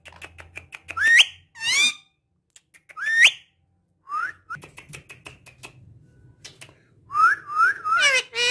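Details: Domestic talking parrot mixing short clicks with scattered rising whistled notes, low buzzy murmuring in the middle, and a closing burst of bright stacked whistles.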